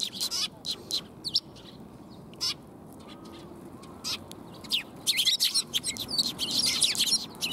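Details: Several sparrows coming for food on 20 March 2021 chirp sparsely at first, then build into dense, overlapping high chirping over the last few seconds, with steady background hiss.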